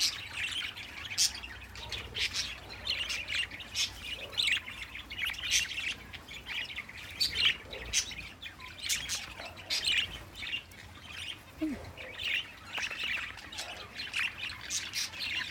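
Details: A bonded pair of pet budgerigars chatter steadily, with quick high chirps and warbles packed closely together.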